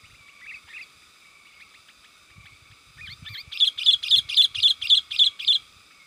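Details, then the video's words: Lure sound of a sooty-headed bulbul to draw wild birds, soft chirps building into a fast even series of eight loud ringing notes about four per second, faint low thumps beneath. "SUARA PIKAT BURUNG KUTILANG GACOR 100%AMPUH UNTUK SUARA PANGGILAN DAN MASTERAN"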